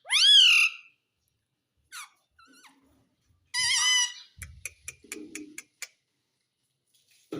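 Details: Green ring-necked parrot kept indoors, talking: one loud rising-then-falling harmonic call, a faint syllable, a buzzy harmonic burst, then a run of rapid soft clicks with low murmuring.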